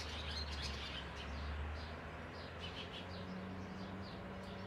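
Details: Eurasian tree sparrow gives quick, high, fairly soft chirps several times a second over a steady low hum, on May 12, at a spacious hole it found for its nest.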